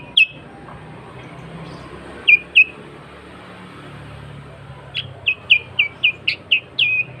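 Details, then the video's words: Sooty-headed bulbul singing hard, an original lure recording for wild bulbuls: scattered short whistles, then a rapid run of about eight sharp down-slurred notes, with soft background noise. "Kutilang Gacor Suara Asli Tanpa Isian, Sangat Cocok Untuk Pancingan Kutilang Bahan Dan Ombyokan."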